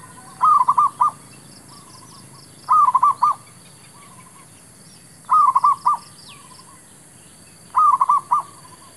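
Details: Zebra dove calling to lure wild birds into a trap: four bright, rolling phrases of several quick coo notes, repeated about every two and a half seconds, each followed by a fainter echo-like trill; thin high chirps from other birds behind.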